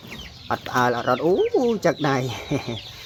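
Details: Unafraid caged waterhen, raised from young for use as a decoy, calls boastfully at a hand held outside its cage. Deep clucks give way to swooping, rising-and-falling whooping notes, then short clipped calls.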